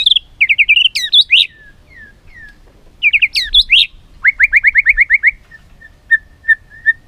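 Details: ['Training song of a white-rumped shama with borrowed filler phrases: sweet twisting warbles, repeated twice, then a fast series of about nine identical notes and three spaced short whistles.']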